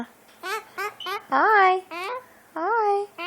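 A burrowing parrot gives a run of short, nasal, speech-like syllables, some rising and falling, about eight in three seconds, indoors.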